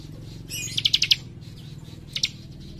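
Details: Young leaf warbler (cikrak) in lively song, delivering a short rapid run of four or five high, sharp chips, then two more isolated chips, against a low background hum.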